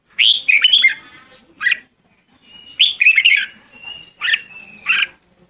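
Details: A red-whiskered bulbul calling its flock gives bright, bubbly chirping phrases in short bursts, roughly every second or two, with a thin sustained whistle between bursts.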